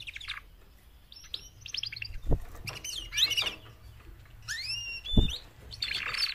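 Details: Four female canaries making mating calls to prompt a male to sing loudly. Series of arched whistled slurs and brief chirp bursts, spaced by pauses, with two dull low thumps in the background.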